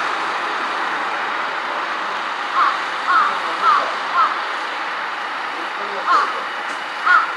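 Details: Large-billed crow on an electric wire, varying its calls: six clipped, nasal caws in two loose bunches, four close together then two more after a pause, set against a constant rushing noise like traffic.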